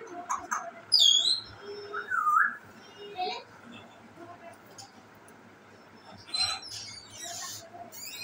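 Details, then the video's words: An African grey parrot gives a loose string of whistles: high squeaky notes, a rising-then-falling whistle, low hoots and clicks, then a harsher burst near the end. "African Gray Parrot sounds"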